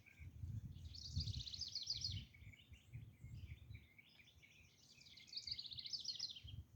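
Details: Acorn woodpecker in Cheeseboro Canyon, Santa Monica Mountains, giving two bursts of harsh, nasal, rapidly repeated calls, each about a second long, over low wind rumble.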